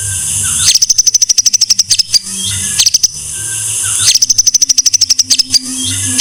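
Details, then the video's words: White-rumped shama master song for bird training: bursts of rapid high rattling notes, about three per second, alternating with harsh buzzy stretches and faint thin whistles. "Masteran MURAI BATU No.1"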